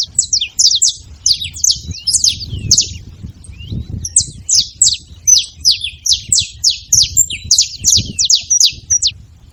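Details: A group of saffron finches making noise together: dense bursts of bright, high chips sliding downward, pausing briefly near the middle, then resuming in a steady run against low background hum.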